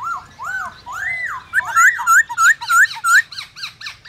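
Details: White-browed laughingthrush singing to stimulate other birds: a run of clear arched whistles that quickens into rapid, ringing upslurred notes, about three a second, each with bright high overtones.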